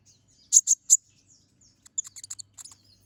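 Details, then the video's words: Energetic chattering song of a brown-throated sunbird with sharp 'shot' notes, for tutoring other songbirds. Three loud, piercing chips open the phrase. After a pause comes a quick run of thin, high staccato notes. "Pancingan Suara Burung Konin Gacor Ngobra Tembakan Tajam"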